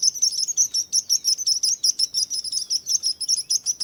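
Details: Relaxing bird chirping: bright, high, rapid chirps repeated several times a second, steady and unbroken, over quiet background.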